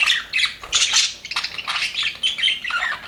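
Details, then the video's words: Happy budgies in an aviary chattering together, a dense run of short scratchy squawks and bright chirps, several birds overlapping with brief dips between bursts. "HAPPY BUDGIES SOUNDS PART 1"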